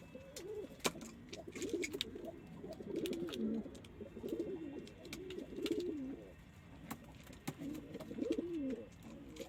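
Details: Domestic pigeons cooing: a run of low, wavering, throaty coos, each rising and falling, repeated about every two to three seconds, with faint clicks and rustling behind.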